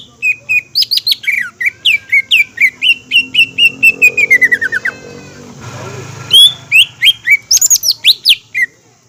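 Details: Green leafbird song used to get other leafbirds singing and agitated: a long string of rapid high whistles sliding downward in a steady cascade, a brief break with low noise, then shrill, varied notes resume.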